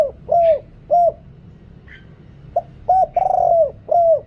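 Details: Spotted dove decoy call used to lure wild birds, noise-reduced recording from Thailand: deep hollow coos, each about a quarter second, given in short groups with pauses, one longer rolling coo near the end.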